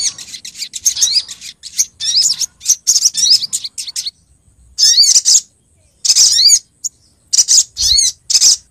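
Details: Female Olive-backed Sunbird calling the male, from Pronojiwo, Lumajang: a fast, busy stream of thin high chirps and twitters, then brief clusters of sharp downslurred notes with short pauses between them.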